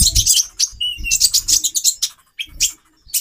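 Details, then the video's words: High, scratchy twittering from a caged female konin, kept to raise the male's mating urge, in busy clustered bursts with soft low knocks and short gaps. "Burung Konin Betina 4x terapi birahi. menaikan birahi jantan"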